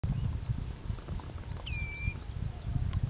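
A single clear, high whistled note from a green sandpiper, sliding down then levelling off, over a steady low rumble of wind.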